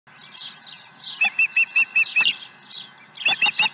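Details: Osprey at its nest on the morning of 30 April 2020, just after 7 a.m., with an early fish: a bright run of about seven sharp, whistled chirps, then a short pause and three more, over faint background chirping.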